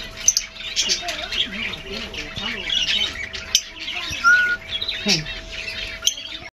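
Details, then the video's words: White-fronted amazon, an exotic parrot kept in Asturias, Spain: harsh, broadband squawks burst out over a busy background of overlapping chirps and twitters, with a clear level whistled note near the middle and faint human voices. "Loro Amazonas Albifrons"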